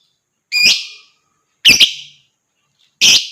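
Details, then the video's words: Lovebird giving piercing, grating shrieks, played as a trigger for other birds to sing and chatter. Three loud strident calls, roughly one every second and a quarter, some with a doubled stutter. "TERAPI JITU BUAT LOVEBIRD,Ngekek dan Gacor Lanjut burung lain dengar ikut gacor dan ngekek ."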